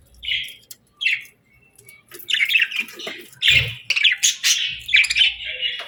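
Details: Contented pet budgies at their food give short separate chirps at first, then a lively, overlapping warble with squeaky notes and occasional low knocks.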